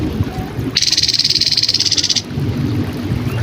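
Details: Grey-headed canary-flycatcher song for training cagebirds: one sustained buzzy trill of rapid, evenly spaced pulses lasting roughly 1.4 seconds, with a steady low hum before and after.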